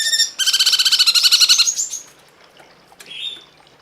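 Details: Cungkok masteran tutoring recording with a short high note, then a loud rapid harmonic trill lasting over a second, falling away into a thin whistle and a later faint rising buzzy phrase.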